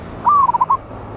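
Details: Local wild zebra dove, loud-voiced, recorded 11/8/24 as lure audio: a smooth, level coo dropping into three short, bouncy notes, over a low background hum.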